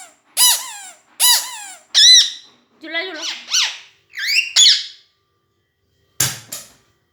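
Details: Pet parrot indoors making loud squawks and squeals of varied pitch, some sliding down, others rising, with a low rasping note in the middle.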